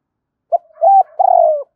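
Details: Part of a morning phrase by a spotted dove decoy calling hai hậu đôi: a short soft note, an arched hollow coo, then a long wavering coo that slowly falls, in a quiet setting.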